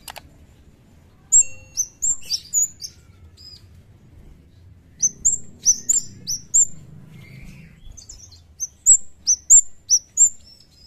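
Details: A Javan kemade (cigen) sings actively, as in the wild: very high, thin whistled notes sliding sharply downward in quick phrases of four to six, separated by short pauses, over a faint low rumble.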